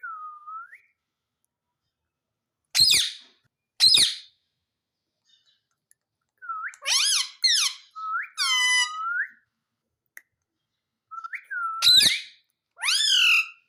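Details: Pet Indian ringneck parakeet indoors imitating "mummy", giving scattered squeaky two-part syllables and a few sharp clicks, with silent gaps between bouts.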